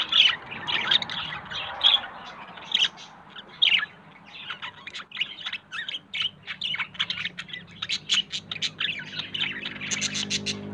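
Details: Budgerigars chatter in quick, bright, scratchy squawks and chirps, several birds calling over one another above a low steady hum; a yellow male and a blue female are pairing up and looking for a nest.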